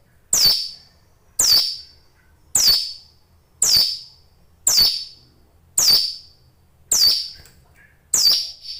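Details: Caged Hill Prinia in vigorous song, giving a steady series of sharp, high notes that slur downward, repeated roughly once a second, eight in all, with a faint low hum.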